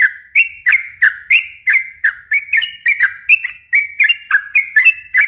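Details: Long unbroken yellow-vented bulbul song, meant to lure and stir young untrained bulbuls: bubbly whistled notes dipping and rising in pitch, roughly three a second, each topped by a crisp high tick, with no other sounds.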